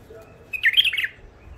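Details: Bulbul caught wild at the Mandali crossing, an old catch held in first isolation, gives one bright, tumbling warbled phrase lasting about half a second against a quiet background.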